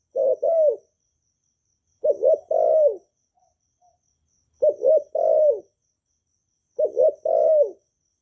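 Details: Vietnamese spotted dove (cu gáy, cu đất, cu cườm), a kept bird, cooing in calling, urging and crooning style to stimulate newly kept doves to sing, recorded close without background noise; four deep two-part coo phrases, about every two seconds.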